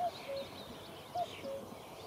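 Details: Common cuckoo in Achterveld, Netherlands, on a sunny May morning: two descending two-note cu-coo calls about a second apart, soft background birdsong.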